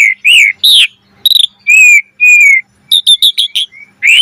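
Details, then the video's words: Asian pied starling lure song, gacor mompa style, full of variation: clear whistled notes and a rising slur, a brief rattled trill, two long level whistles, then a quick series of clipped chips and a final rising whistle. "Suara Jalak Suren Gacor Mompa Full Variasi"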